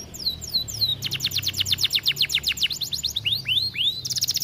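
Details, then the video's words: Caged Atlantic canary singing vigorously in an aviary, a tutor song for training: rapid downward-sweeping whistles, then a fast rolling trill of repeated notes about four per second, ending in rising upslurred whistles and a bright high chatter. "Kenari gacor cocok untuk masteran"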